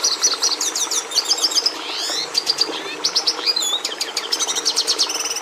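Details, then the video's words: Red siskin (Carduelis cucullata) song: a fast, high twittering jumble of rapid trills, buzzy rising sweeps and clipped chirps, pouring out almost without pause over a low background hiss. "Canto do Tarim da Venezuela"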